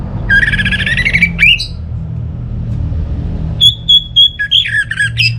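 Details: Orange-headed thrush from Singaraja, North Bali, used as a lure to get idle home birds singing: a harsh rising phrase with an upward sweep, a pause, then a loud burst of whistled and scratchy notes over a low background rumble.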